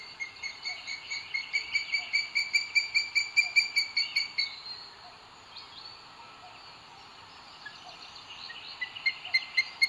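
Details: Booted eagle at a nest in Sierra de Guadarrama, Spain, on 2 June 2022, as the male brings food to the female, gives a shrill, clear, repeated 'kee-kee-kee', about two notes a second for four seconds, resuming briefly at the end, over a steady insect hiss.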